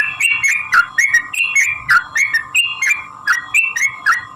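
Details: Energetic sooty-headed bulbul song in the long 'ropel' fighting style, played to prompt other bulbuls to answer. Short liquid whistled phrases, some dipping and rising, follow each other about three per second above a constant droning tone.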